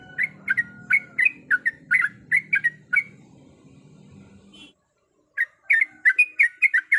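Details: Female yellow-vented bulbul in heat calls for a male: quick bubbly chirps, a pause with only low hum, then a denser burst of rising and falling notes.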